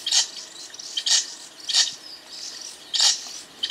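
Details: Golden parrotbill giving thin, very high, scratchy chips about once a second with faint high twitters between; a species of bamboo thickets in montane evergreen forest, usually in small active flocks, its call a falling "see...see...see".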